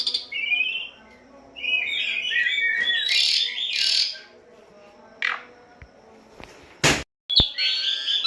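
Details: Asian pied starling singing for captive-bird training audio. A burst of mixed chattering, whistled and scratchy notes gives way to near silence, then a few sharp clicks and a final short whistled phrase.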